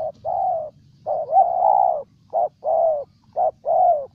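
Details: Spotted dove in Ninh Thuan, Vietnam, giving a run of low soft coos, one long drawn note swelling louder in the middle, then brief and longer coos alternating less regularly, faint background rumble.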